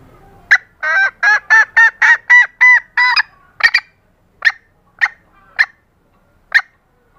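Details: Female green junglefowl voice used to attract males and trigger their breeding drive. A rapid burst of eight nasal, honking notes comes first, then slows to isolated sharp clucks spaced about a second apart.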